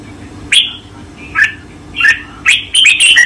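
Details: Red-whiskered bulbul master song from 2024, used for training cage birds: bright whistled chirps and short warbled phrases, spaced at first and then running together in a quick cluster, over a low background rumble.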